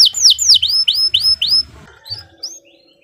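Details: Canary giving a burst of about seven quick downward-sweeping chirps, tailing off into softer scattered notes, from a long training song.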